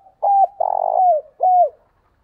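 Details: Spotted dove cooing as a decoy call used to lure wild birds: three low, mellow notes in about two seconds, a short hoot, then a longer rolling, burred coo that slides downward, then a final falling coo, with a quiet background.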